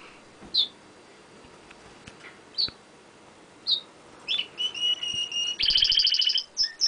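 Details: Pet canary singing up close on a window ledge: scattered high chirps spaced a second or more apart, then rapid bright trills and a steady run of repeated high notes near the end.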